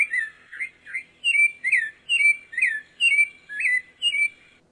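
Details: Pale-breasted thrush song: about eight rich whistled phrases, roughly two per second, each a quick slurred rise or fall, accompanied by faint high tinkling notes over a quiet background.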